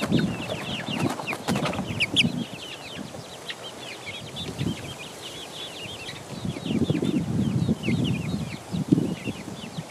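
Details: Four-week-old chicks pecking around, constant overlapping high peeps from many birds, with wing flutters and pecking clatter early and late.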